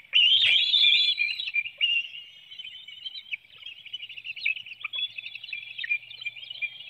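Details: Webcam view of a bald eagle nest in Hanover, Pennsylvania, 9 June 2019, as an adult feeds a small fish to an eaglet; a loud shrill whistled phrase with a sharp knock, then softer rapid high twittering.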